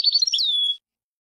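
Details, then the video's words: European goldfinch song in the style locally called khali al-alam: a brief burst of quick twittering notes sliding into a drawn-out, slightly falling whistle, then silence. "حسون خالي العلام"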